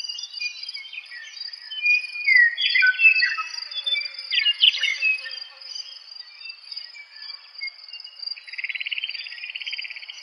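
A meadowlark sings clear, slurred whistles that fall in pitch, then ends with a fast buzzy trill. A steady high insect drone runs underneath throughout.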